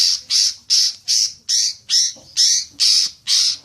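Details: Green magpie lure sound used to prompt long chattering: nine loud, harsh, squawking bursts in a steady rhythm, roughly two to three per second, on a quiet background.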